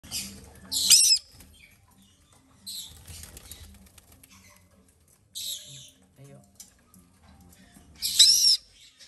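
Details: White-bellied caique chicks being hand-fed in captivity: short, harsh, raspy hissing bursts high in pitch, about four over nine seconds, with quiet handling noises between them.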